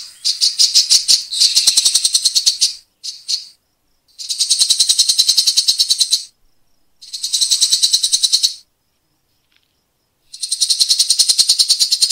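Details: Rapid, coarse rasping rattles of a grey-cheeked bulbul, the tight 'tembakan' style used as a tutor for contest birds, delivered in long buzzy bursts of two to three seconds with silent gaps between.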